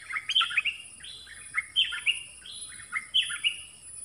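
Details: Captive decoy bird calling for a mate in a Thai forest on 13 January 2021, producing a steady series of quick, bubbly chirped phrases about once a second over a hissy background with a constant high whine.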